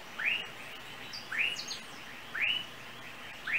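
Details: Small yellow bird of Trinidad, seen on overhead lines, utters four clean upward-sweeping chirps about a second apart, with faint high notes between the first two.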